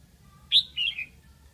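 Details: Single brief phrase from a decoy red-whiskered bulbul used to attract wild birds: a sharp high note followed by two lower, slurred warbling notes.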